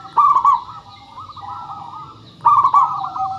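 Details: Lure recording of local zebra doves to prompt singing: two loud rolling coo phrases, the first beginning just after the start and the second about two seconds later, with softer trilled cooing continuing in between.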